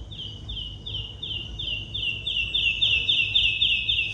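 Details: Woodlark (Lullula arborea) in flight in a mountain landscape sings its descending song: a quickening run of about a dozen clear, liquid notes, each sliding slightly down, growing louder as it goes, over a faint low hum.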